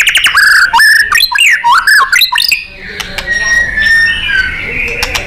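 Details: White-rumped shama (murai batu) in a fighter-style 'nembak' song for training contest birds: a fast series of loud, looping up-and-down whistled notes, then a softer warbling passage.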